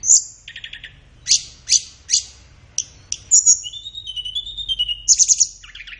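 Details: Tledekan flowerpecker masteran: high sharp downstrokes repeated at roughly half-second spacing, a short lower buzzy trill, then a thin wavering whistle sliding down and a closing cluster of rapid chips.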